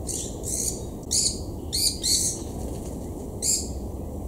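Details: Noisy White-eared Barbets chase a Black-collared Barbet, a relative, at Imvubu Lodge in KwaZulu-Natal, South Africa, July 2019; loud rasping bursts, about six spaced groups, with a constant low rumble behind.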